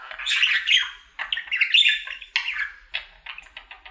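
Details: Singing male budgerigar kept as a pet, daily happy song: a dense, scratchy warble at first, then a string of short clipped chirps repeated several times per second toward the end.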